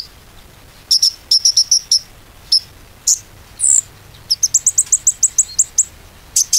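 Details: Konin lure recording meant to restart a stalled bird's singing. High, sharp chirps come in clusters, with a few longer rising whistles, then a quick run of evenly spaced notes near the end.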